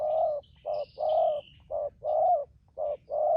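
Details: Wild-caught spotted dove used as a trapping decoy, giving the urging coo style called thúc gù: short coo then longer, slightly falling coo, pairs repeated about once a second, with faint high chirps of other small birds.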